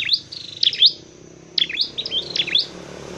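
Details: Dark-necked tailorbird, a bird being trained and trapped, sings sharp high chirps in short bursts, with a quiet pause mid-clip and faint low background hum.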